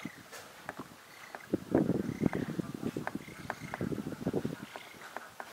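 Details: A young Eurasian spoonbill begs a parent for food with rapid, wheezy, grunting bursts that swell and stutter without pause, with thin higher notes now and then above.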